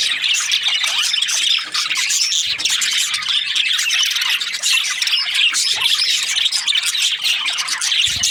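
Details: Overlapping chirps and warbling squeaks from Australian budgies form a loud, unbroken, high-pitched chatter throughout.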